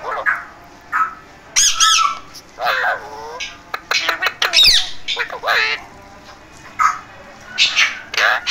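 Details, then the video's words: Pet parrot talking: a string of raspy, speech-like phrases and harsh squawks in short bursts, with brief pauses between and a quiet indoor background. "Amazing Talking Parrot Voice | Beautiful Parrot Sound"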